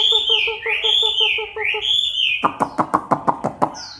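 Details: Chinese hwamei during its moult, October 2015, singing bold swooping whistles over a soft rapid pulsing beneath. Then about eight sharp knocking clicks follow at a steady pace, ending with a single high whistle.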